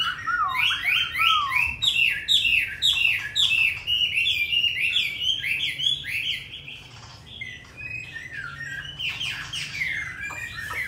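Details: Tame caged hwamei in Hanoi, Vietnam, a strong and frequent singer with a forest-style voice: a long, rich song of rapid whistled and warbled phrases with brief pauses, swooping up and down throughout.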